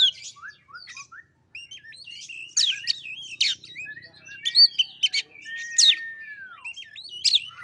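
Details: White-rumped shama song as a lure for a reluctant bird, with quick whistled notes, chattering bursts and a long smooth descending whistle near the end.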